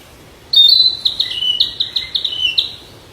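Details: Flycatcher singing in the wild: a clear high whistle followed by a rapid series of about eight short descending notes, evenly repeated, with a quiet background.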